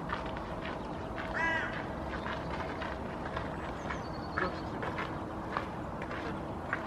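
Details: Female Hooded Crow (Corvus corone cornix) sitting in the nest, giving a soft nest song: one hoarse, harmonic-rich call midway, with faint scattered chirps over a steady low background rumble.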